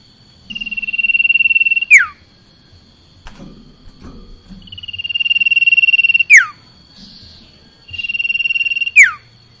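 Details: Common iora in lively song: a long, steady, drawn-out whistle ending in a sharp, falling flick, given three times with short pauses between, plus a faint, constant high tone behind.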